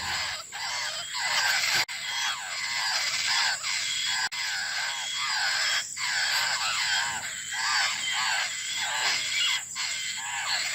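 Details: Laughingthrush nestlings begging for their mother, giving rapid runs of scratchy, curved, harmonic-rich calls with short pauses between bursts, over a hissy, noisy background and a steady high-pitched whine.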